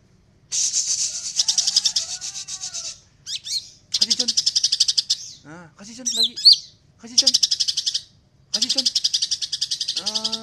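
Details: Greater green leafbird singing actively in a dense, rapid 'beretan' style: bursts of buzzy, tightly packed high trills separated by short pauses, with sharp chips and brief lower whistled notes between the rattling phrases.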